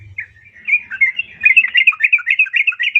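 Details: Yellow-vented bulbul female calling to a male, used to make caged birds respond: a fast, continuous bubbling chatter of bright slurred notes that builds in loudness.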